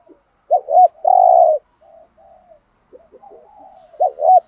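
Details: Spotted dove, a lure bird bought in Dak Lak, Vietnam, singing to attract rival males; clear, low cooing phrases of short notes and a longer sustained coo, repeated after a pause, with no other sounds.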